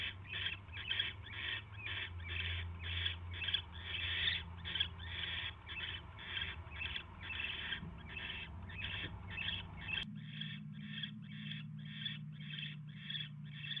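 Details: Rapid rasping hisses from a barn owl at the nest, 10:22 PM on 22 January 2016, during a mouse delivery: roughly thirty short bursts, nearly two per second. A steady low hum shifts in tone partway through.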